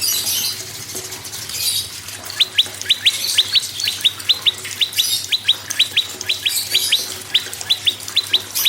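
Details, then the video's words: Prinia song meant to spur quiet caged birds into singing. Thin rising chip notes start after two seconds and then repeat steadily, roughly two per second, against a steady rushing hiss. "PRENJAK LUMUT GACOR PRENJAK KEPALA MERAH GACOR TERAPI PANCINGAN SEMUA BURUNG MACET AGAR BUNYI GACOR"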